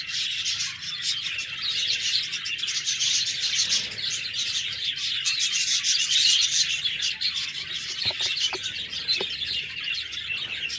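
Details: Budgerigars chirp and chatter with dense, raspy warbling and sharp tweets, and a few brief clicks appear near the end.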